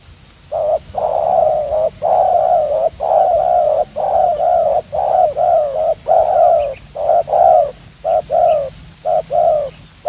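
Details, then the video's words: Decoy spotted dove set out for trapping, delivering the rapid 'gù tốc độ' cooing: an unbroken run of about twenty short, low, hollow coos, roughly two per second, some slurring downward. "Gác Cu Gáy . Bổi Đẹp Trai Có Nước Gù Tốc Độ."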